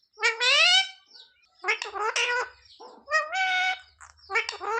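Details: Talking pet parrot imitating speech while begging for roti: three loud, nasal, harmonic phrases of about half a second each, sliding in pitch, with brief quiet gaps.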